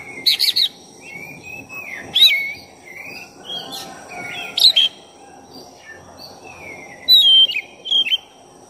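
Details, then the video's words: Black-breasted oriental magpie-robin giving a lure song to stir up another bird's emotion. Loud, sharp whistled notes and long gliding phrases alternate irregularly, with brief high chips near the end, over a low humming background. "Pancingan suara kacer dada hitam gacor efektif buat menaikkan emosi Kacer"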